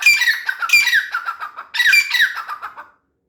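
A Grey francolin gives two loud bursts of harsh, ringing, squawky notes that slide downward, about a second apart, in a small, echoing space.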